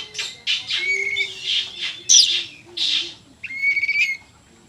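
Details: Oriental magpie-robin in loud, energetic song: a rapid run of rich whistled and harsh notes, several bursts per second, with a faint low tone underneath.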